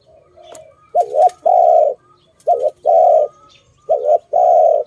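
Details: A dove in a bird-trapping setting gives three paired hoarse coos, a short note then a longer one, in a low steady pitch, repeated about every 1.5 seconds, with faint chirps behind.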